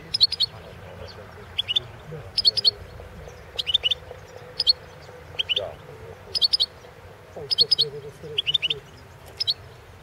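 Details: Competition recording of a Balkan goldfinch, Carduelis carduelis balcanica, for the 2016 world championship. Short high paired chirps, repeated roughly once a second in an even series, over a faint low background hum.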